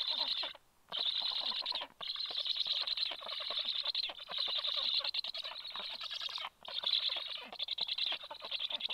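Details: Black stork nest, 26 July at 9:40, where the male has brought fish for the chicks soon after the female; long stretches of harsh, hoarse hissing interrupted by a few brief gaps.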